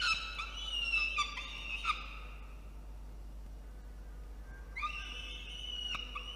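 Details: Peregrine falcon chick in a nest box atop a water tower in Orange, NSW, Australia, protesting while the nest is cleaned, 4:06 PM on 17 November 2021. Two bursts of harsh, wailing, harmonic screams, the second rising, separated by a quiet gap.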